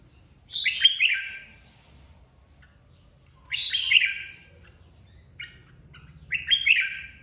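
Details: Competitive song of a red-whiskered bulbul flock leader recently split from its aviary: three rich, warbling phrases dropping in pitch, each about a second long, spaced a few seconds apart over quiet low hum.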